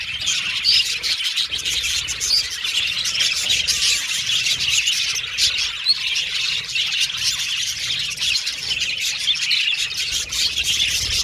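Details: Colourful pet Australian budgies chattering and whistling, a continuous noisy mass of squawks and chirps from many birds at once.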